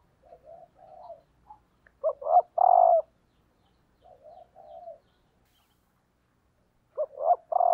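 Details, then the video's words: Female spotted dove as a decoy, calling to stir males: soft murmured coos lead into loud phrases of two brief notes and a sustained coo. The pattern repeats after a quiet gap of several seconds. "cu mái gáy kích trống hiệu quả"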